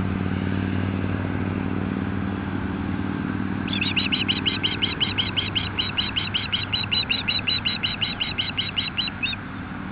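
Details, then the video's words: Osprey at a nest near a highway by the Kootenay River, Nelson, BC, calling in alarm at an intruding osprey on a summer morning; heavy traffic rumble first, then a rapid series of shrill repeated chirps. "Osprey Nellie & Arrow defend intruding osprey"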